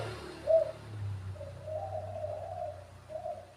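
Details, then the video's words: Quiet, hollow cooing of a spotted dove: one clear coo, then a drawn-out, soft coo and a final short note, partly masked by a steady low rumble. "suara panggilan tekukur"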